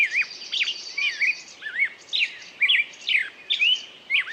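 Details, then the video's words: Bird song made of curling whistled notes and chirps, wavy rising and falling slurs spaced roughly every half second, a high trilling band audible at the start. "пение птицы"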